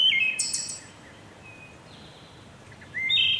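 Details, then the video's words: Wood thrush song phrase: pure low whistles leading into a ringing, buzzy high trill, then a long quiet gap with a faint thin whistle before the next fluty phrase begins at the end. "Wood Thrush Bird Beautiful Sing"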